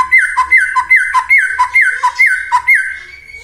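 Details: A white-rumped shama sings a lure phrase meant to make other shamas sing and become agitated. Loud downslurred whistled notes repeat rapidly, about two or three per second, each dropping in pitch.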